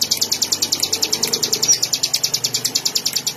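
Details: Ciblek, the Bar-winged prinia, singing a quick string of bright, high, evenly spaced chirps without pause, over a faint low background murmur.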